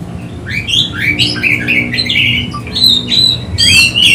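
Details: Oriental magpie-robin, worked up and seeking a rival, gives rising slurred whistles in quick succession, then sustained pure whistled notes and a loud bright ending phrase, over faint hum.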